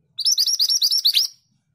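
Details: A scarlet minivet produces a lively sequence of about eight high, upsweeping whistled notes in just over a second, the final note rising more steeply, with a clean, quiet background.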